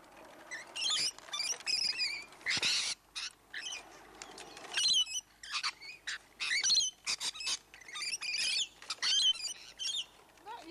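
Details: Rainbow lorikeets from a flock of hundreds in Lane Cove National Park, perched close on people and the camera: loud, harsh, buzzy screeches in rapid bursts, overlapping and nearly continuous, with brief gaps between outbursts.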